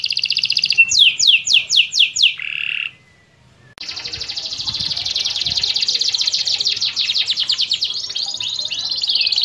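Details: Canary long rolling song used as a lure for moulting canaries: a series of fast falling whistled sweeps, a brief pause, then a long continuous buzzy roll of rapid trilled notes.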